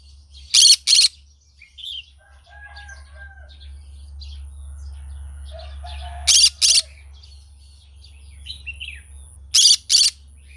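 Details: Green-cheeked conure in the morning giving harsh, broadband paired screeches, each double burst repeated about every three to four seconds, with faint softer chirps and distant rooster-like calls between them and a low steady hum beneath.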